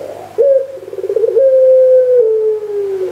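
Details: Barbary dove, puter pelung type, recorded 3 March 2020: a coo opening with a quick trilled, rolling section, then settling into a long level note that steps slightly lower before trailing off.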